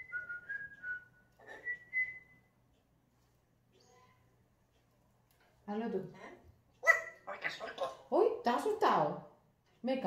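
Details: A pet African grey parrot gives a few clear, rising whistles. After a pause comes a burst of raspy, human-like Spanish talking phrases.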